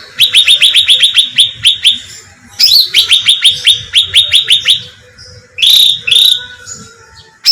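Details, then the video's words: Bulbul call used as a lure, locally cucak ranting: long rapid chains of bright, evenly spaced descending chirps, then a pause and a few harsh, louder higher notes. "suara pancingan cucak ranting terbukti ampuh membahana"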